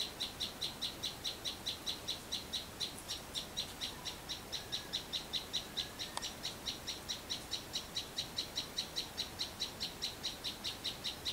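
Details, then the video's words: Sunbird heard in a rural backyard garden, giving a long, steady run of short, high, sharp chirps at a fast, even pace, more than two per second, with little else heard beyond soft background hiss. "Chim Sâu Hót Sau Vườn"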